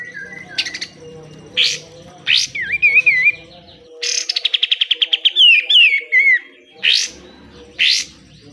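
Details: Pied triller song used to train caged birds, the besetan style: a fast run of about a dozen evenly repeated high notes, then wavering whistled slurs, with separate sharp bursts before and after.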